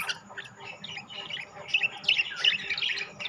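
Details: Group of budgerigars of rainbow and classic varieties, quick buzzy chirps running together, building into louder shrill squeaky notes in the second half.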